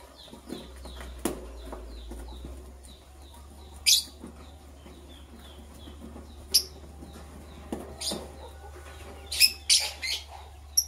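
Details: Green and blue lovebirds in the morning, preparing for egg laying: shrill, harsh chirps burst out singly every one to three seconds, with soft, quick, high chirps repeating early on and rustling movement between calls.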